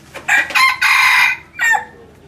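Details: Crowing red junglefowl decoy rooster from a hybrid line: clipped introductory notes, a long hoarse central note and a descending tail, loud and clear against a quiet backdrop.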